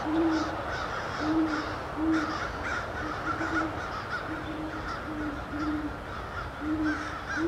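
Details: A pair of great horned owls, grooming and stretching on December 4, 2013, hoot in duet, deep soft hoots repeated in steady series about once a second, with a faint steady hum behind.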